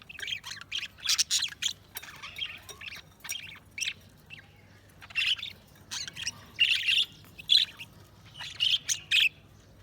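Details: A flock of budgerigars chirps and squawks in repeated noisy bursts, bright rasping notes clustered every second or two, with a steady faint hum in the background.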